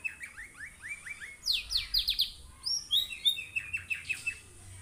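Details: Canary singing to coax other canaries into song: quick strings of short descending chirps, then louder sharp sweeping notes and rapid twittering phrases over faint low background hum.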